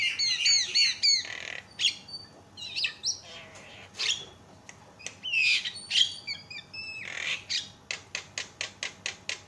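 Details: Loud Javan myna used to provoke other mynas into calling: rasping squawks and bright whistled notes, ending in a rapid series of short clipped calls about four per second, faint background hum.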